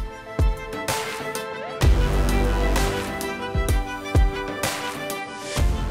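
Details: Bowed strings and other instruments play music with strong low beats; no animal calls can be heard.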